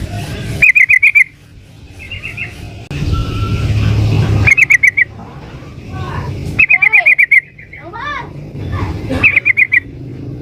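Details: Calling female sooty-headed bulbul, summoning a male: several short bursts of rapid, clipped chattering notes spaced across the recording, with other softer bird notes and a passing engine-like rumble in the background.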